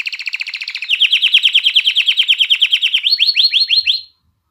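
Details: Canary song intended to rouse hens for mating and encourage chicks to sing: a steady, pulsing, mid-high rattling trill for three seconds, ending in five rising swept whistles, then silence.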